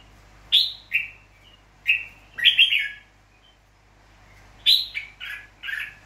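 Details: Red-whiskered bulbul, a wild-caught bird from Nghệ An, Vietnam, now tame with people, recorded 29 April 2024: short bright warbled phrases, each sliding downward, given in scattered bursts with quiet gaps between.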